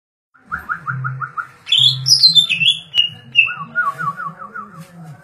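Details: Green leafbird singing vigorously in the 'gacor, darderdor' style: a run of rapid rippling whistled notes, then sharp high descending phrases and another rippling trill, over a steady low mechanical hum.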